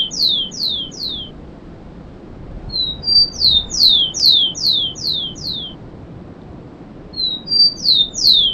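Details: Rufous-collared sparrow singing at a cemetery gives high, clear phrases: two thin level whistles, then three to six sharply falling slurred notes, repeated about every three seconds over a soft background hum.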